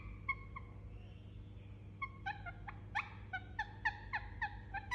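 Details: Indian ringneck parakeet, asleep, giving soothing sounds: a few faint whistles, then a quickening series of short, soft downslurred notes, roughly four per second, over a low background hum.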